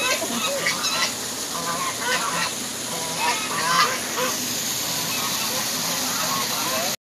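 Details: Angry geese, a dense chorus of overlapping nasal honks in quick succession, many birds calling at once over continuous background noise.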